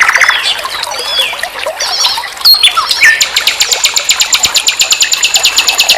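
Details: Common nightingale singing in a tutoring recording for songbirds: scattered whistles and slurs, then a long, evenly pulsed high trill of quick repeated notes.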